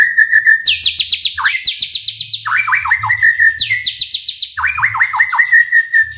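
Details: White-rumped shama singing to provoke other shamas: a steady whistled trill, then repeated bursts of fast descending notes dropping from high to mid pitch, delivered loudly and almost continuously over a faint hum.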